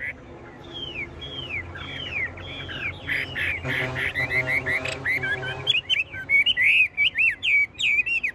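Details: Chinese hwamei, a tame cage bird that keeps singing when its cage is jolted: repeated descending whistled slurs, a brief burst of broad rattling noise, then fast twisting, buzzy whistles.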